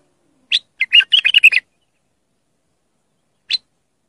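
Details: Clear bulbul song for young bulbuls to learn from: a quick chattering phrase of several liquid notes lasting about a second, then a lone sharp note two seconds later.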